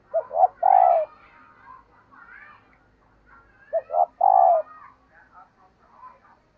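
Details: Female dove cooing to arouse males: two phrases three and a half seconds apart, each two brief hoots and a drawn-out falling coo, separated by faint chattering coos.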